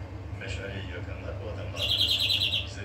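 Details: European greenfinch song: after a stretch of faint murmuring, one buzzy, rapid trill-like wheeze of under a second in the upper range, over a steady low hum.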